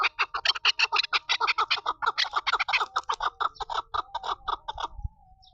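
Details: Female chukar partridge (chakor) calling: a fast, even run of harsh clucking notes, about two per second, climbing in intensity and then trailing off into a thin, steady whistle near the end.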